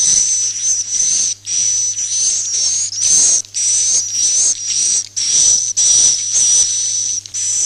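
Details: Roosting call of swiftlets, used to draw the birds to nest houses: rapid sequence of harsh, high buzzy chirrs with a steady whistled tone inside, roughly two per second, separated by short gaps, over a low electrical hum.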